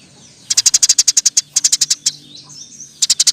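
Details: Loud, lively Eurasian tree sparrow in 'roll tembak' style, intended as a master recording for songbird training; a quick run of about a dozen ringing chirps, a few soft slurred notes, then a fresh burst.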